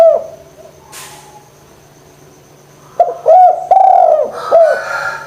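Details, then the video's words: Spotted dove cooing energetically, used as a lure to get lazy doves calling: one short coo, then after a quiet stretch a run of loud, arched, hoarse coo notes in quick succession, over a steady low hum. "DERKUKU GACOR PANCINGAN JITU ATASI DERKUKU MALES BUNYI"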